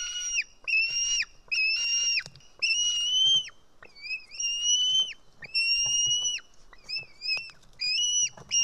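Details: Screaming White-tailed eagle chick at its nest in Estonia on 4 July 2018 during a fish feeding by a parent; persistent high whistled squeals, long and short, flat with sharp falling tails, in an almost unbroken run.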